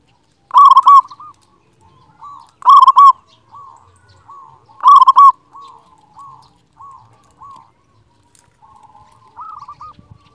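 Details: Local zebra dove singing with a big voice, used to stir passive doves into singing. Three strong bursts of quick coos come about every two seconds, then a string of soft, separate, evenly spaced coo notes.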